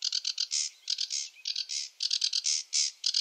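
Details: Rushed, chattering sedge warbler song: quick alternation of short clicking notes and longer rasping buzzes with no pause.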